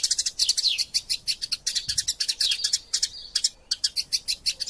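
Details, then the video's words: A master-sound recording of fighting Eurasian tree sparrows for training magpie robins: clusters of sharp high chirps in quick bursts, separated by short silences, some notes sliding downward. "Burung Gereja Tarung Gacor Passer Montanus passeridae Eurasian Tree Sparrow erasia suara masteran"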